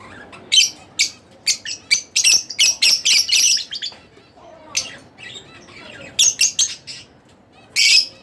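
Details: Split blue Fischer's lovebird chattering in fast runs of sharp, raspy chirps, with a quieter pause mid-way before a fresh burst of squeaky notes and a final harsh squawk.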